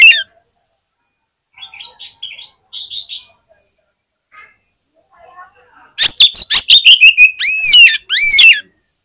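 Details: Fighter Oriental magpie-robin at a song contest's hanging poles, its voice said to spur other magpie-robins into quick, frantic singing. After faint scattered notes, a loud burst of rapid sharp chips and slurred rising-falling whistles closes the recording.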